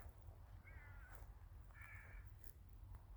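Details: Crows in a village during winter giving two harsh, drawn-out caws about a second apart, set against steady low-frequency rumble and faint clicks.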